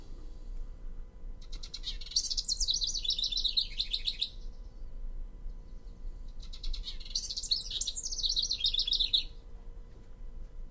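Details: House Wren singing in spring: two bubbly, tumbling song bursts, each about three seconds long, with rapid chattering trills, over a low steady hum.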